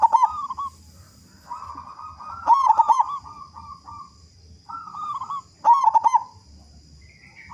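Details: Loud local zebra dove singing to prompt other doves to call quickly; drawn-out wavering coos lead into rapid stuttering pulsed phrases roughly every three seconds, with a steady high-pitched electrical tone throughout.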